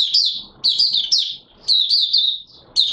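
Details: Oriental white-eye, open singing recorded 24 March 2022: loud, high, twittering bursts of sharp slurred notes, roughly one burst per second with brief quiet breaks.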